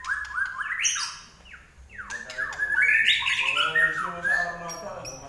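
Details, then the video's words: Common iora singing for home bird tutoring; clipped whistles step upward, then harsher, buzzier chattering phrases mixed with downward slurs and rising whistles. "larwo Gacor"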